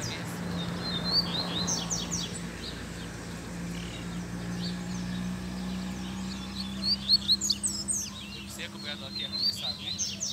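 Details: A male Rusty-collared seedeater, a caged bird, sings outdoors in scrub in high, quick twittering chirps in bursts, strongest toward the end, over a steady low hum and faint background voices.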